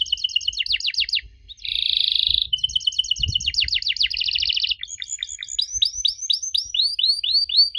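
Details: Unusual canary song used to get young canaries to answer: stuttering trills, a harsh buzzy rattle, quick trill runs, then arched whistled notes repeated near the end over a faint low rumble.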